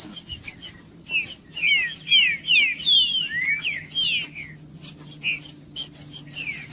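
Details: Green-winged saltator singing to warm up a cold bird: a run of loud, clear downslurred whistles, one rising note among them, surrounded by scattered high chips and a constant low background hum.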